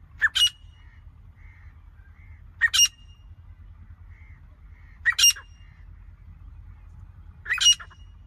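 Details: Grey francolin in non-stop calling, sharp two-part harsh notes repeated steadily about every two and a half seconds, four calls in all, with faint low hum behind.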